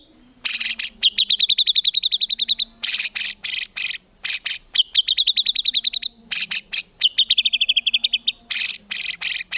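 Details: White-rumped shama training song, gacor and full of tembakan phrases, no ngukluk: harsh broadband buzzy blasts alternate with fast ringing trills, repeated in cycles of roughly two seconds; faint low hum underneath.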